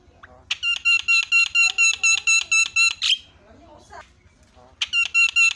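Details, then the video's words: Starling chatter used to provoke silent birds into singing: a long run of loud, evenly repeated buzzy notes, about two each second, breaks off briefly for a squeal and soft notes, then resumes. "SEKALI PENCET JALAK LANGSUNG PADA CEREWET"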